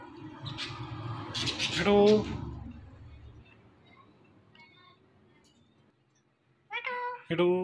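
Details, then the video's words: A talking parrot at home, pet mimicking words and a cat's meow: bursts of harmonic, voice-like syllables early on, a long quiet stretch, then two more loud vocal bursts near the end, with a person repeating words nearby. "The Best Talking Parrot"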